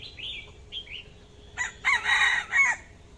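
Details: AK-voiced red-whiskered bulbul used as a decoy: two soft slurred whistles, then a loud, harsh, buzzy run of rapidly repeated notes rising and falling in pitch.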